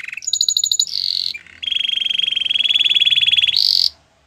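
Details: Canary song in a training recording: brief trills, then a long even rolling trill held for about two seconds, ending in a higher buzzy burst.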